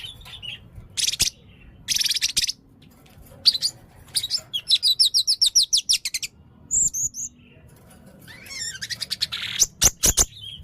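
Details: Red-necked blue-crowned hanging parrot in persistent, shot-like song: varied high squeaky notes, harsh rasping bursts, a fast evenly spaced series of sharp ticks, rising whistles and a rapid final trill.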